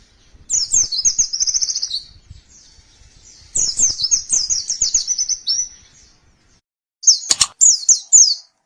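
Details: Three separate phrases of high, rapid white-eye twittering with pauses between, the last short and broken by a sharp click.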